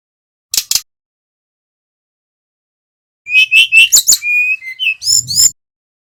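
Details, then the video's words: Bali male brown-chested jungle flycatcher singing steadily, used as a lure to stimulate other birds to sing. Two quick high chirps, a long pause, then a rapid run of clear whistles, sharp chips and high trilled notes. "Suara Sikatan rimba dada coklat bali GACOR PIKAT"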